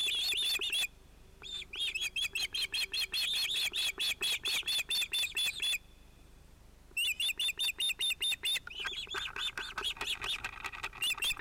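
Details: Ospreys at a Finnish nest on 31 July 2018, adult pair with two young probably male chicks, one chick interrupting the adults: rapid series of high, sharp whistled chirps, rising and falling, with two brief pauses.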